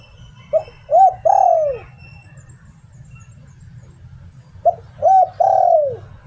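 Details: Spotted dove decoy bird, Thailand, in the 'Liu Tan' song style. Two clear three-part phrases about four seconds apart. Each is a brief coo, a bowed hoot, and an extended coo dropping in pitch, with quiet low hum.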